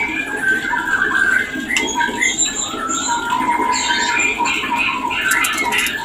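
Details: White-rumped shama mating call, used to bring birds into breeding condition: a rich run of varied whistled phrases, some sliding up and down, mixed with brief high squeaky notes, over faint steady background hiss.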